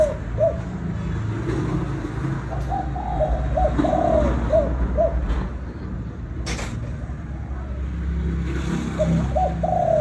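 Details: Spotted dove, Vietnam, calling to rouse other doves: repeated mellow coos in a phrase that rises into a held note, then a pause and another phrase, over a low traffic-like rumble.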